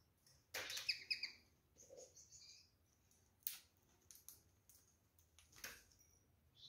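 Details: Pair of caged rose-ringed parakeets eating fruit, apple and orange with seeds removed, gives a harsh, screechy call with strong harmonics, then scattered clicks and pecking noises indoors.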